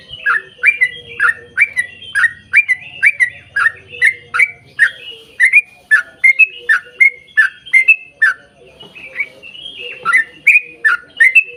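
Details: Yellow-vented bulbul giving an extended 'ropel panjang' song to draw other bulbuls into singing: rapid, unbroken series of liquid chortling whistles, each note sliding down, pouring out for over ten seconds with only a brief lull.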